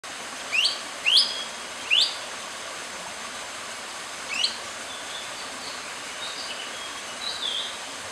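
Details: Long-tailed broadbill giving high, sharp whistled notes that sweep upward, three in quick succession, then a single note and a few fainter calls, over steady background hiss.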